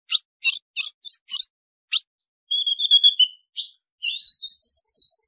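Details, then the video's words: Female ultramarine grosbeak call meant to stir up males: six sharp high chips spaced about every third of a second, followed by thin, wavering whistled warbles and one more chip. "Piado de fêmea de Azulão Esquenta qualquer Azulão"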